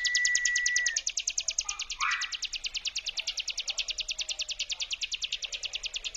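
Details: "Brem" lure song of the ciblek gunung prinia: a thin flat whistle first, then a long, fast, regular trill of high clicking pulses continuing without pause, with a brief rising note mid-way.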